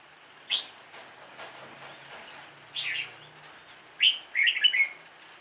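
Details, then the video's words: Red-whiskered bulbul singing an improvised song: short, bright, warbled bursts heard at about 0.5 s, 3 s and 4 to 5 s. The last burst is a busier run of chirpy notes. A quiet background lies between the phrases. "chào mào ngẫu hứng"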